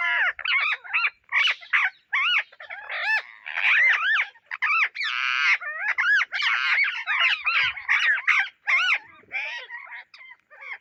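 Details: Indian ringneck parrot calls while searching for seeds: harsh, grating screeches and squawks in a near-continuous stream, each arching up and down in pitch, with brief pauses between bursts.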